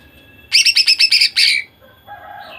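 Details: A female greater green leafbird, kept to make males sing, gives a fast run of about seven sharp repeated notes ending in a longer buzzy note, then faint lower twitters.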